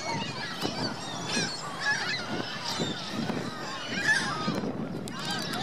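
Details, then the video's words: Geese accompanied by goslings at Virginia Lake in Reno, uttering scattered short nasal honks among several calling birds, against a low rumble of background noise. "Geese Goslings Reno Virginia Lake"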